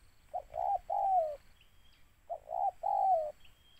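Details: Spotted dove hunted with lures, calling two three-part phrases: a short soft note, a hoarse middle note and a long sliding coo, separated by a pause of about a second, with a thin high whistle between.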